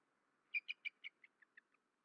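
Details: Male bald eagle heard at night at a nest in Rome, Georgia, in March 2024; a short descending run of about eight high, squeaky chittering notes, loud at first and fading quickly, over a faint steady hum.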